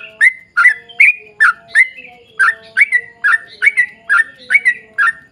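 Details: Sooty-headed bulbul singing in the long-trill style, used to lure other bulbuls into song: repeated bubbly falling phrases, about two and a half per second, with a faint steady hum underneath.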